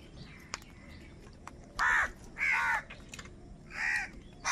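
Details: Wild crows in huge numbers fighting over food, giving harsh, loud caws in bursts of about half a second, four calls spaced roughly a second apart over a quiet background with faint distant chatter.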